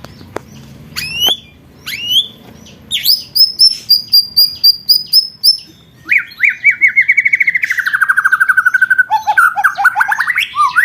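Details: White-rumped shama, a contest bird, delivering training song: scattered sharp notes, then a rapid row of high repeated notes, followed by a long rolling trill that slowly falls, ending in rising slurs.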